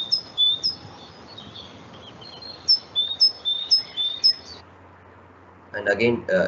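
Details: A raw recording of a great tit (Parus major) uploaded to a bird-identification system, which predicted Parus major: high, thin two-note phrases repeated quickly for about four seconds, then a man's voice starts speaking.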